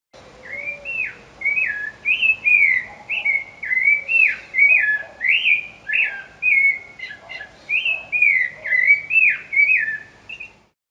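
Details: In the Amazon rainforest, a Rufous-bellied Thrush (Sabiá, Brazil's national bird) sings a steady run of clear, fluty whistled phrases, each slurring up and down, almost without pause for about ten seconds.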